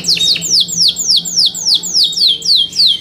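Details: Yorkshire canary repeating a loud, clear note that slurs downward, about three times a second in a steady series.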